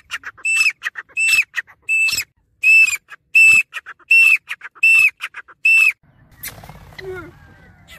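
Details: Grey francolin giving a steady nonstop series of shrill, sharply inflected whistled calls, about eight in six seconds at an even pace, then a brief rustling, clattering handling noise.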